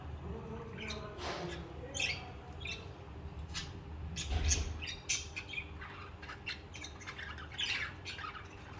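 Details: Pet budgerigars singing: quick scattered chirps and short buzzy notes keep going through the whole stretch, over a low background rumble.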